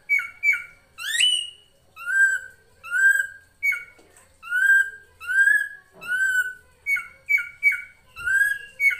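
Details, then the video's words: Master recording of a drongo (srigunting krantil) used to tutor songbirds such as magpie-robins: varied clear whistles, some slurred and rising, others short paired notes dropping in pitch, repeated in quick succession. "MASTERAN SRIGUNTING KRANTIL FULL ISIN"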